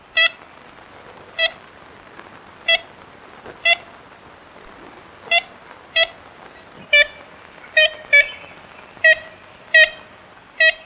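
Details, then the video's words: Long run of about fifteen nasal, tin-trumpet toots from an ivory-billed woodpecker, spaced about a second apart at first and coming faster and in pairs toward the end, over steady faint hiss. "Canto do Pica Pau Bico de Marfim | Ivory Billed Woodpecker Singing"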